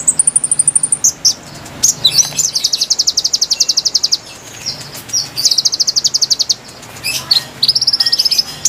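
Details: Konin song used to lure wild birds: very high, rapid trilled bursts of thin ticking notes, some level and some stepping higher, broken by short sharp chips and brief gaps, with a faint low hum.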